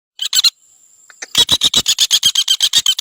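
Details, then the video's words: A common flameback (Dinopium javanense), recorded as a tutor song for training cage birds, gives a fast, harsh rattle of sharp, high notes, about seven a second, after a few short opening notes. "Suara Trotol Pelatuk Bawang"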